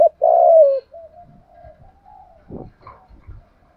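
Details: Spotted dove calling in 'thúc gù' style to urge a decoy bird: one strong, drawn-out, downslurred coo followed by a softer, faint coo, with light knocks and rustling in the background.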